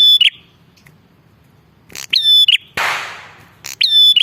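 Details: Lure call of a Bar-winged prinia: loud rattling bursts followed by sustained bright whistles with buzzy endings, interrupted by a brief hissing rush of noise in the middle.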